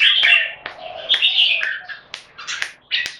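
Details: Red-whiskered bulbul in a Singapore singing contest between two caged birds; lively chirping phrases of varied bright, slurred whistles broken by short sharp clicks, uneven in rhythm.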